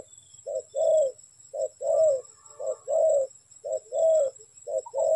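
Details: Spotted dove cooing near a trap, five evenly spaced pairs of a short note and a drawn-out warm coo, about one pair per second, over a soft low rumble and a steady high tone.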